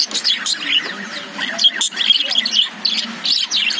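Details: Chirping lovebirds in a cage, short high squeaks and thin whistled notes coming in choppy clusters with brief gaps between them.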